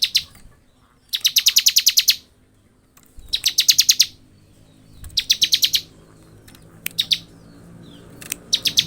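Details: Bar-winged prinia in sustained ngebren song, used to train other birds: five rattling bursts of shrill, evenly spaced high notes, up to about twelve per burst, roughly every one to two seconds.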